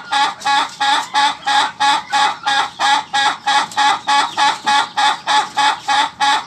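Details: Ayam ketawa, the Indonesian laughing chicken, giving its crow as a long, even run of about three hoarse, honking syllables per second, steady and unbroken throughout.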